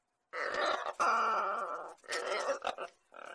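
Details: A pet lorikeet, which talks as soon as someone enters the kitchen, gives harsh, raspy screeches: one long grating call of about a second and a half, then a few shorter rough bursts.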